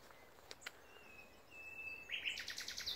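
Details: A common nightingale sings at Pulborough Brooks RSPB reserve: a long, pure, high whistle that swells and steadies, then breaks into a rich, rapid, buzzy chatter, with a few sharp clicks first and soft background hiss.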